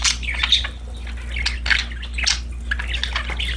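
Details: Budgerigars happily playing, busy mixed chatter of squeaky chirps and rasping notes, with a low background hum throughout.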